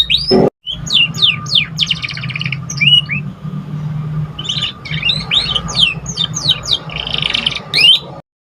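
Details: Young canary practising its song: series of quick rising and falling whistled notes, with a brief buzzy passage midway and rapid twittering later, all over a continuous low mechanical hum.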